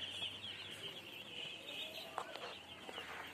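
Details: Chirping baby chicks, a continuous layer of thin high peeps, with a few sharper clicks and knocks near the end.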